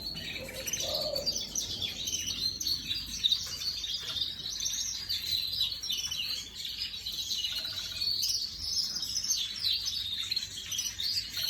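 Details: Imported 2024 canary kept as an ornamental bird, recorded 18 May 2025, singing a continuous, rapid, high warbling song of trills and chirps that runs unbroken through the whole recording, with a faint low hum beneath.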